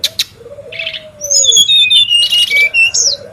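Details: Brown-chested jungle flycatcher in the wild, recorded as a lure and tutor sound: a long low pure whistle slowly falling, then a run of high thin whistled phrases over a renewed low whistle.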